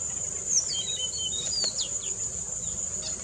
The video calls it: Oriental Magpie Robin Call